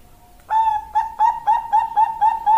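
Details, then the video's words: Female Bangkok-type zebra dove calling to a male: a quiet lead-in note, then quick, evenly spaced, bright, fluty coos, roughly four per second. "Master dan Pancingan Perkutut Bangkok"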